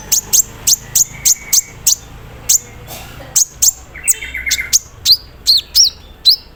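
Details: Evenly spaced, piercing high ticks repeat roughly every quarter second from a captive sunbird in the morning misting routine. Buzzy trills and quick upslurred whistles follow, in a song packed with embroidery-machine imitations.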